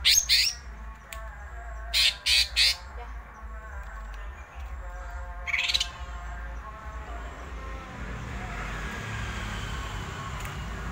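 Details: Greater green leafbird (cucak ijo) singing in ngerol style: quick clusters of sharp high chirps, then a brief buzzy phrase, with a faint background hum and rising hiss toward the end.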